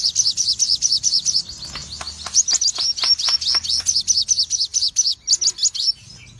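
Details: Cremino, red-eyed Crimson sunbird singing in full bursts: a steady, rapid series of piercing high notes, roughly two per second or faster, running for six seconds with faint clicks beneath.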